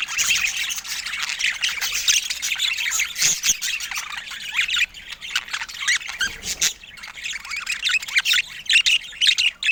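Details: Pet budgerigars chattering together in a dense, continuous mix of quick chirps, squawks and warbling twitters. The sound is loud and high-pitched, with one brief lull partway through.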